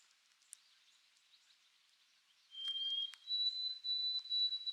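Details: A White-throated Sparrow at Sunset Cove, Canada, sings its song in the background: clear, pure whistles, a steady first note, then higher held notes, after a quiet start with faint background noise.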